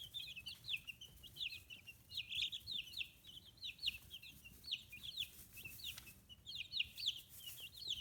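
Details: Fifteen-day-old free-range chicks in Kitahiroshima, Hiroshima, Japan, feathers coming in: a steady chorus of shrill, falling peeps from several birds, tightly packed and nearly unbroken over eight seconds.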